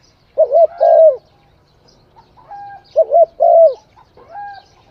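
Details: Spotted dove singing: a low, mellow coo-coo-crooo phrase, the last note longer and falling, followed by a softer, higher, drawn-out coo; the pattern comes twice over a quiet background.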